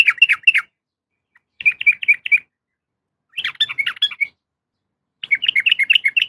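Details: Calling female yellow-vented bulbul seeking a male: four tight bursts of rapid, chattering, bubbling notes, each about half a second long and separated by clear silences.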